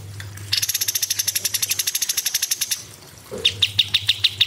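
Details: Cucak cungkok in a bird-training recording: a fast, dry rattling run of high notes for two seconds, a short low chirp, then resumed sharp high chips repeated several times a second.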